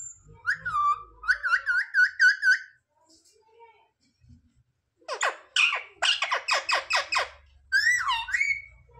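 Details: Talking parrot imitating words such as "mummy papa" indoors: a wavering, up-and-down warbled phrase, a pause, then a fast burst of about nine sharp, raspy syllables and a final swooping call, with low background hum.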